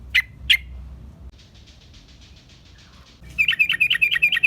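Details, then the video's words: Sooty-headed bulbul in energetic song, used as a lure for wild birds of its kind: two loud bright notes, a stretch of soft buzzy chatter, then a fast run of bubbly, warbled notes. "Suara trucukan gacor RAJA PIKAT ampuh buat semua trucukan reapon"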